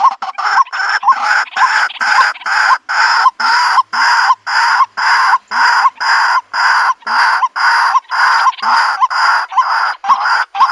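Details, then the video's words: White-breasted waterhen call used as a lure for a countryside bird trap: a long, steady run of loud, grating croaks, each with a short rising hook, repeated about twice per second without pause. "Bird Sounds White breasted Waterhen Bird ( Water Cock Soun)"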